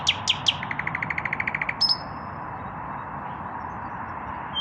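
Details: Male common nightingale without a mate, singing in the evening: three loud sharp notes, a rapid rattling trill of about a dozen pulses, then a high drawn-out whistle fading into hum.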